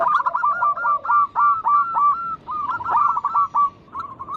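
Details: Local zebra doves singing energetically to lure other doves into song: a fast string of clipped, upward-hooked coos with a short low rolling phrase near the start, notes grouped in quick bursts.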